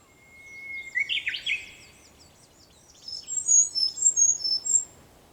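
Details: Early-morning Japanese bush warbler song at sunrise, 4 May 2021: a long, steady whistle leads into a sudden explosive flourish. Two seconds later, another bird gives a loud run of sharp, very high chirps.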